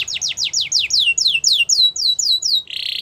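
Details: Yorkshire canary singing a training song for young canaries: a fast series of descending whistled sweeps, about four a second, ending in a short buzzy rattle.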